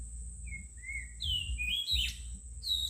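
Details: Songbird singing with thin whistled notes near two kilohertz, then higher, sweeping chirps around three to four kilohertz; a steady high electronic-like hiss persists throughout, with low rumbling background noise.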